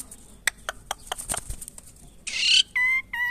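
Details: Asian pied starling being tamed: sharp clicks and taps, then a loud harsh rasping burst followed by two nasal, harmonic squawks.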